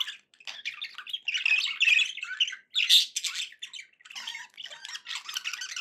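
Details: Budgerigars kept as pets chattering indoors, a busy run of rasping chirps, squeaky notes and harsh squawks with short gaps between bursts.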